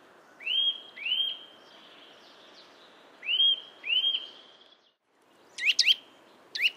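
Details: Eurasian nuthatch in a yard at Joroinen, Finland, giving clear upslurred whistles in pairs, each note rising then holding steady, repeated twice, followed by sharp, quick, higher chipping notes.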